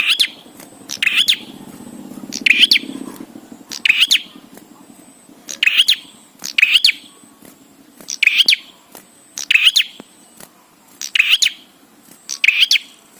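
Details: Bar-winged prinia singing energetically, used as training song so prinias start calling: brief raspy bursts, often doubled, repeated roughly every 1.5 seconds over eight phrases, with a soft murmur early on.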